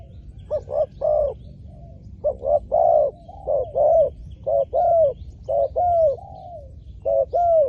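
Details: Spotted dove used as a lure for wild doves, cooing repeatedly: short clipped notes alternate with longer rounded coos in quick, uneven phrases, about one a second, over faint low rumble.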